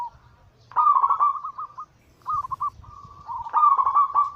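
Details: Group of zebra doves in anggungan-style cooing, a daily lure track meant to trigger singing in silent caged birds. Soft low rumble, then loud warbling coo phrases at 1 and 3.5 seconds, with a shorter rolling phrase between.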